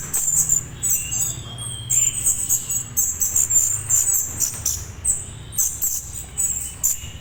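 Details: Young orange-headed thrush calling, a sound used to get adults to answer: shrill high-pitched squeaks repeated in uneven clusters, a few faint lower whistled notes, and low background hum.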